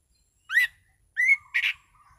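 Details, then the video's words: Orange-sided thrush in a calm, clear ngeplong performance: a short upslurred whistle, a second rising whistle, then a burst of rougher, fuller notes, followed by faint lower whistling and slight low background rumble. "Burung Anis Cendana Ngeplong Santai"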